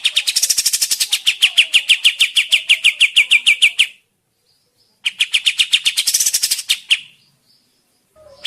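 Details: Sooty-headed bulbul lure recording used to make other birds answer and sing: two bursts of rapid, buzzy chattering notes, several per second, the first running nearly four seconds, separated by a second of silence.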